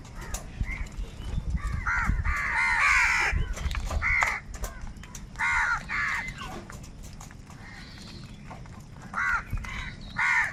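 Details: Huge numbers of crows calling, said to be fighting for food: harsh, buzzy caws overlapping in bursts, some long and drawn out, with low rumbling background noise throughout.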